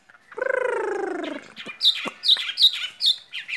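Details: Caged skylark: a drawn-out, nasal, buzzy note that slides slowly downward, followed by sharp, high, repeated chirps from the spring love song.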